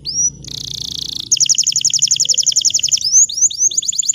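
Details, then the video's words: Bottle-green canary singing vigorously, kept as a tutor for young canaries learning to sing: a rising whistle, then a dense buzzy tour, then a long run of rapid, evenly repeated high chirps ending in upslurred notes. "Kenari Hijau Botol AF Gacor COCOK Untuk Pancingan Kenari Paud Belajar Bunyi !! Canary Singing"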